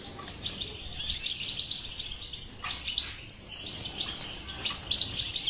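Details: European goldfinch in batbata-style song, meant to prompt a silent goldfinch into singing: fast liquid twittering in dense bursts with tinkling high notes, brief pauses between phrases, soft background hiss.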